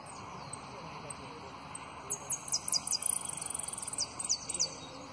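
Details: Runner-up competition saffron finch singing a song in the prio, golpe and pitadas styles: after faint scattered notes, a burst of high, rapid, sharply descending whistled notes repeated several times a second, then a quick trill and further high strokes.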